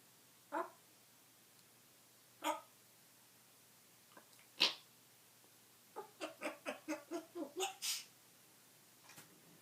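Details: Indoor pet African grey parrot burping, farting and laughing: a few separate sneezy, hissing bursts, then a quick run of about nine rhythmic, chuckling pulses like laughter, in a quiet room.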